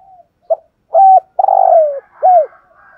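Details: Spotted dove kept as a decoy bird, calling to provoke wild males: a soft short coo, a brief note, a steady hooting coo, then a long buzzy coo sliding down in pitch and a final arched coo.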